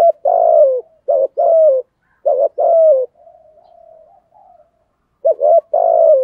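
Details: Spotted dove with a deep 'giọng thổ' voice, cooing repeatedly: wobbling double notes and long falling coos in quick sequence, a stretch of soft low murmuring, then another phrase; no background noise.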